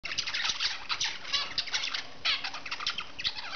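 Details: Zebra finch chatter while swinging: a busy, scratchy run of high, nasal clicks and beeps, barely pausing, with a brief gap before the burst resumes.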